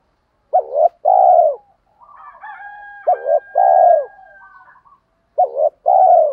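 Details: Lure call of a spotted dove for provoking wild doves: three phrases of a brief double note and a long low coo, with a fainter distant dove cooing in between.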